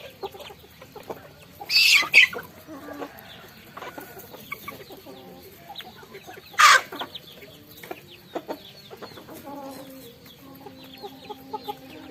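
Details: Chickens on a farm eating rice: quiet scattered clucks and soft tonal notes, broken by three loud, harsh rustling bursts, likely from feeding or wing movement.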